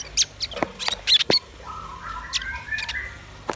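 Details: Velvet-fronted nuthatch and white-rumped shama singing together: loud sharp clicks and high ticks open the recording, followed by a longer lower whistled phrase that rises and wavers, then more sharp notes at the end.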